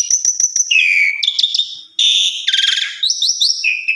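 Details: Song of an Asian pied starling, offered as lure and tutor material for other starlings: high whistled notes, a falling slurred phrase, rasping buzzy bursts, and quick rising whistles closing on a steady tone.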